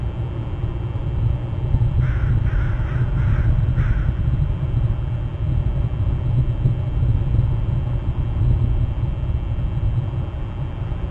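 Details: At a nest on Hornby Island on October 16, around midday, an eagle gives a brief burst of four thin, high piping notes in quick succession. A loud steady rumble like wind fills the rest.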